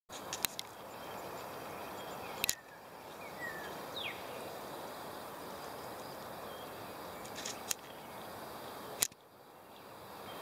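White-breasted nuthatch scraping its bill: four sharp, dry clicks spaced a few seconds apart over a steady hiss of background noise, with faint thin chirps in between.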